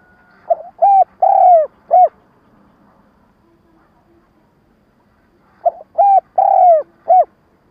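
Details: Spotted dove giving a stuttering lure coo meant to provoke wild doves for trapping: two phrases of four low hoots, a drawn-out falling coo in the middle of each, about five seconds apart.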